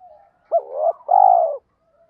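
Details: Kích bổi coo of a spotted dove. A sudden rising note slides into a wavering hoot, followed by a single sustained coo that dips slightly at its end. A faint soft whistle trails afterward.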